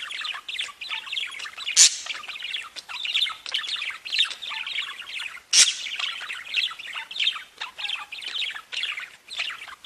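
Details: Chattering budgerigars: a running warble of quick buzzy and squeaky notes in short bursts, with two loud sharp clicks or squawks standing out.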